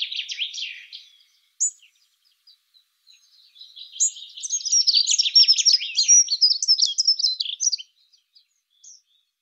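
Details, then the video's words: Dunnock, wild songbird, singing a fast, high-pitched, jumbled warble: a short scratchy burst opens, then after a pause a longer continuous twittering phrase of rapid thin notes lasting about four seconds, with quiet single chips between. "Голоса птиц Как поет Завирушка лесная Prunella modularis"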